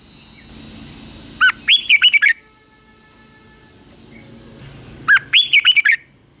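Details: Red-whiskered bulbul in morning training, singing combative song: two brisk phrases about four seconds apart, each a quick rising note followed by five bright, warbled, up-and-down whistles, over faint steady background hiss.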